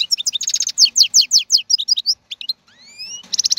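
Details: Strong wild-caught goldfinch of 2022 singing quick liquid twitters, a run of bright repeated notes, then two smooth upward whistles before a closing buzzy trill.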